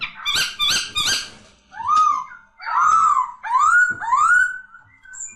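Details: Poksay laughingthrush opening with three harsh, buzzy bursts, then four pure whistles that rise and level off, repeated roughly every second.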